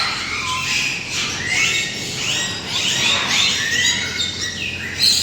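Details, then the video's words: Dozens of parrot species from around the world kept in covered enclosures at Tehran Bird Garden, calling together: a dense, overlapping din of harsh squawks and shrill chirps, some sliding up or down in pitch, with no pause. "And here we have dozens of parrot species from all over the world. The noise they make is incredible"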